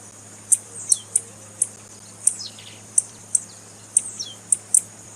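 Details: Female blue-black grassquit call for exciting males: crisp high chips at irregular intervals, one leading into a wavering downward glide, with a soft background hum.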